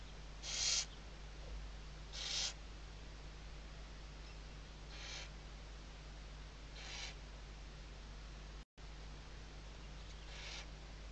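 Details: Western barn owl on a nest webcam at Riet Vell Nature Reserve, Ebro Delta, Tarragona, Spain, in the 2023 season, in the morning: harsh, breathy screeches, two loud then three fainter, spaced about two seconds apart, over a steady low hum.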